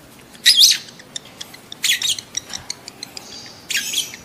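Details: Lovebird mating call, used to stimulate adult lovebirds to breed: three shrill, harsh screeching bursts spaced over about four seconds. Soft ticking clicks fall between them.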